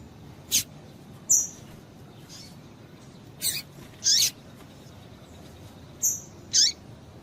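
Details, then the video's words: Female double-collared seedeater call, used to stimulate and excite the male into singing: short, very high sharp notes in pairs, several sweeping downward, repeated at about two-second intervals over a steady background hiss. "Piado de Fêmea de Coleiro Quente para Esquentar Coleiro tui tui"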